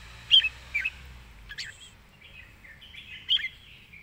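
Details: Red-whiskered bulbul in fast zone-style singing: scattered short whistled notes and a higher upslurred chirp, spaced over several seconds, with faint background chirping and low hum.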